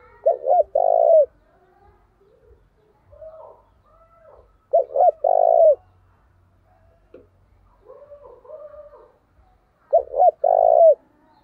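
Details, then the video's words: Decoy spotted dove calling with great energy to provoke rivals into fighting. Three loud phrases come roughly every five seconds. Each has quick stuttering notes and then a long, full, descending coo. Fainter distant coos from other doves fill the gaps. "Chim Cu Mồi/ cu gáy thúc đấu cực sung vang một vùng"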